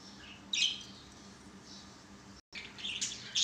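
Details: Pet budgerigars at play on a swing give high, rasping chirps and squeaky chatter in two bursts separated by a short pause.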